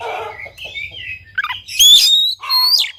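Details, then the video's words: Oriental magpie-robin song, used to entice a reluctant bird to sing. After soft murmuring warbles and a low rumble, two loud, ringing, slurred whistled phrases with a buzzy edge follow. "KACER GACOR||PACINGAN &MASTERAN KACER MALES BUNYI"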